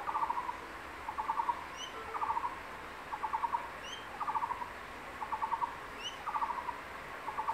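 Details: A male crested goshawk at a secondary-forest nest, holding a freshly caught tree lizard, calls his incubating mate in short, rapid bursts of even, mid-pitched notes, about one burst a second; faint high chirps from other birds sound behind.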